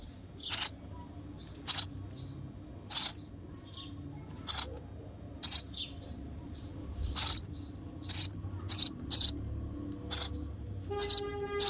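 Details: Hungry baby sparrow chirping for its mother while being fed in the nest, giving thin high chirps at uneven intervals that come faster toward the end, with a soft low hum underneath.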